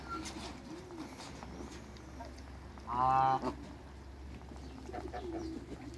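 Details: A single strong nasal honk near the middle from African and Toulouse geese kept in a backyard to make a new hybrid, otherwise quiet with a low background hum.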